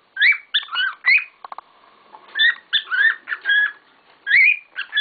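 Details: A group of pet cockatiels making a lot of noise: fast, overlapping, grating chirps and warbled whistles in steady runs, with a few quick clicks in a short lull.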